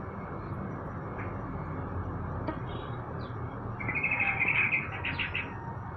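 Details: Sooty-headed bulbul out in morning sunshine: faint scattered notes, then a rapid rattling run of chirps that flows into several louder sweeping whistles, all over a steady low background drone.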